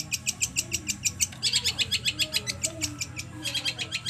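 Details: Long-tailed shrike, trotol-style song used as a lure to make a captive bird sing. A steady, rapid run of harsh, rasping pulses, roughly seven per second, with a faint low hum underneath.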